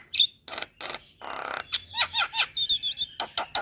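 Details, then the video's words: Starling sounds played as a lure for a reply, with a high whistle, rasping noisy bursts, a set of curved chirping notes and a thin high tinkling trill followed by sharp clipped calls. "Pancingan Semua Jenis Burung Jalak | Jalak Kebo Jalak Putih / Jalak Nias Langsung Respon"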